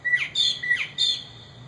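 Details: Mockingbird, one of a pair living in a yard, noisy with its babies just out of the nest: two quick paired calls, each a short clear whistle sliding into a downward slur and then a higher buzzy note, in near silence.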